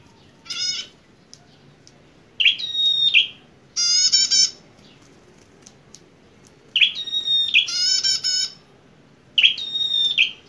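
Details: Aggressive fighter bar-winged prinia in vigorous song: short buzzy harmonic bursts alternating with phrases of bright whistled slurs, about five phrases separated by pauses of one to two seconds.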